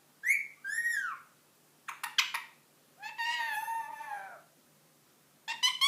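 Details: Ring-necked parakeet, a 10-month-old pet, making funny noises: two arched whistles, a burst of harsh clicks, a long raspy buzzing call, then another harsh squawk, with Portuguese talk just before.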